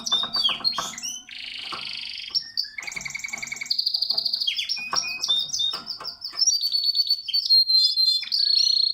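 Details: Canary singing at its nest; fast, varied song of rolling trills, buzzy rattles and sustained whistled tones, changing phrase every second or two, with a faint low hum underneath.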